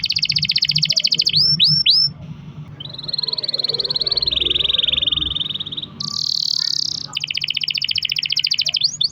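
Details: Canary rolls used as a prompt for other canaries: a fast high trill, three swooping notes, a long wavering buzzy roll, then a bright intense burst and another rapid trill.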